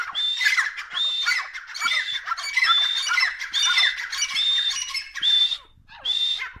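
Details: Grey francolin pair, called dakhni Irani tetar, giving loud grating calls with a clear high whistled note in each phrase, phrases coming about every 0.8 seconds before a brief gap and one final phrase.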